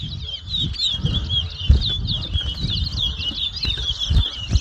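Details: Chestnut-bellied seed finch, or towa towa, singing at a 2022 bird whistling competition in Mahaica, Guyana: a continuous high warble of quick rising and falling twittered notes, with low crowd rumble beneath.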